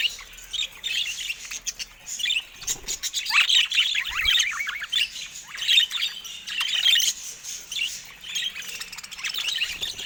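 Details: Budgerigars in a cage mob a camera with harsh squawks and busy, rising-and-falling chatter, an almost unbroken stream of scratchy calls over ten seconds with occasional clicks.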